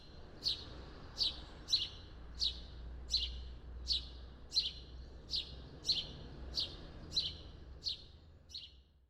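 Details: A House Sparrow (Passer domesticus) gives a quiet, discreet song of bright chirps repeated steadily, about one every three-quarters of a second, with a faint low rumble behind.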